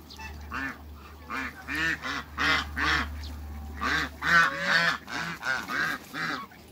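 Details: Farm African geese, three of them, utter a series of short nasal honks roughly twice a second over a low steady hum.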